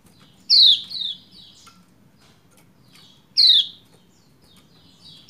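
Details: A female Lombok white-eye calling to a male gives two sharp, high, down-slurred chirps about three seconds apart, each followed by softer twittering notes, over a faint low hum.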